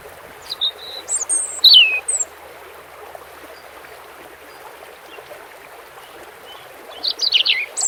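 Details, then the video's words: European robin singing over steady running water: a high, thin, twittering phrase of whistles and trills around 1–2 seconds, a long quiet gap, then another sparkling phrase near the end. "Relaxing _Water Sounds _bird red throat"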